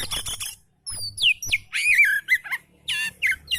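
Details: Oriental magpie-robin in relaxed song, meant to stimulate lazy magpie-robins to sing: a burst of buzzy chirps, a short pause, then sweeping downslurred whistles and warbled phrases, ending in quick scratchy notes.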